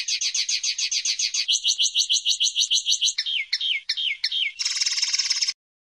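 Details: Pardillo singing, 2016 recording: a fast pulsed trill changing into a lower trill, then downslurred whistles and a final dense, buzzy rattle.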